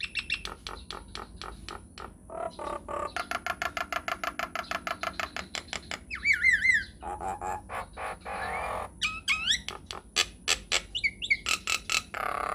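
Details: Nias hill myna, long rolling lure song meant to get other mynas answering: fast trains of sharp clicks, a run of steady rattling notes, and wavering high looped whistles, over a soft constant hum.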